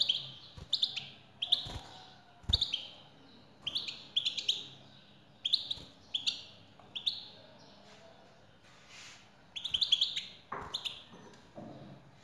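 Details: European goldfinch, male singing in response to a female: steady series of bright twittering phrases, high tinkling and buzzy notes repeated about every second, with a few soft knocks in the background.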